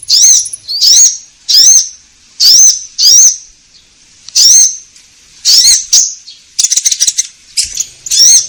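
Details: Orange-headed thrush song used as a lure track to prompt caged birds to sing: high, bright whistled phrases with a rising, hooked shape, repeated in short bursts roughly every second, with quiet gaps between them.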